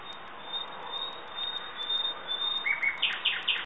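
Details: Mostly quiet hiss at first, then a common nightingale begins singing, with a thin whistle followed by loud, repeated rich chattering notes in quick succession at the end.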